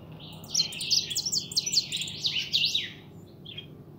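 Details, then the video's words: Kept European goldfinch, a young bird called pintón, singing a fast, dense run of high, tinkling twitters and buzzy notes for about two and a half seconds, then a brief chirp, over low steady hum. "Mi jilguero pinton"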